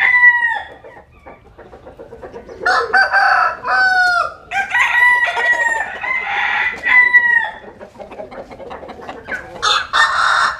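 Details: Roosters basking in the sun in the countryside of western Vietnam, crowing: a short crow at the start, then several drawn-out harmonic crows with falling endings, overlapping, plus scattered clucks.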